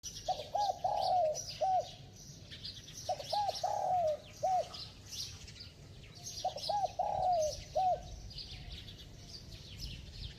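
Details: Spotted dove giving bell-voiced cooing with rapid coos: three phrases, each of clipped low hoots followed by a long drawn, falling coo and a final short note, about every three seconds, over a hiss of background insects or birds.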